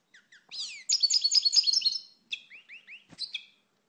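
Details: High, tumbling twitter from a European goldfinch: clustered bright notes for about a second, then a string of separate downslurred chirps and a final sharp call.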